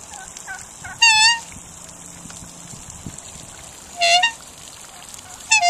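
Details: A pair of Australian black swans give three loud, musical bugling honks a few seconds apart, each slightly wavering, with softer quiet notes in between, as they come up to the people.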